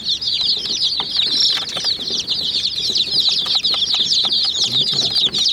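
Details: Chicks of domestic chickens attacking a white mini jeep toy; rapid, crowded high-pitched peeping fills the scene, punctuated by crisp clicks of beaks striking the toy.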